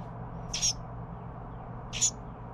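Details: Baby Carolina wren being fed by its parents utters two harsh, high, rasping calls about one and a half seconds apart against a faint low hum.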